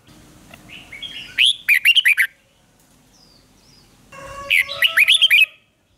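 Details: Two bursts of a red-whiskered bulbul's duel song, each a quick series of loud, sharp, fluty chirps preceded by quieter warbling, separated by about two seconds of quiet.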